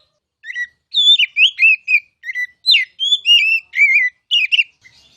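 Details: Oriental magpie-robin (kacer) singing in loud ngeplong style, used as a masteran tutor song to prompt other birds to sing: clear, varied whistled phrases, rising and falling, delivered in a quick run of about a dozen notes with no background noise.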